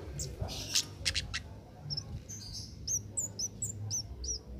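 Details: Cit keres singing as a master for training songbirds: a few sharp clicks, then a rapid series of high, thin hooked chirps repeated several times a second.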